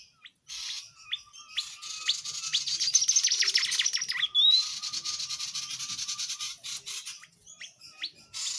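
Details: Vigorous tledekan jati song, a tutor recording for songbirds: rapid high chattering trill with interspersed upward-flicked notes and one clear whistled slur, continuing in busy bursts.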